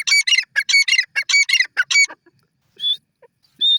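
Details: Grey francolin (teetar) calling: a quick run of loud, harsh, ringing notes in clustered phrases for about two seconds, then a pause broken by a few thin, high notes.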